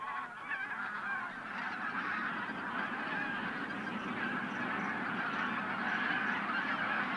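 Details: Winter dawn at the Linum pond land in Brandenburg, where over a thousand bean and white-fronted geese lift off before sunrise. A steady wall of many honking voices with rapid, irregular yelps and a low murmur beneath.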